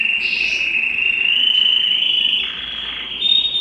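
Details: Excited canary wanting to mate, singing a long, steady rolled whistle that rises slightly, dips briefly, then resumes higher.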